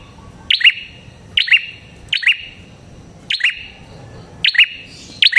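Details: Prinia with a red head, song played to lure other prinias: short, sharp, bright chirp bursts spaced roughly a second apart, each with a quick doubled note, against a soft hiss.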